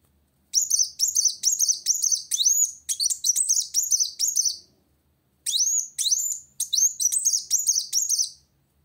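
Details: Purple-throated sunbird singing energetically at a rival: two long bursts of shrill, jumbled high twitters and upslurred whistles separated by a short pause.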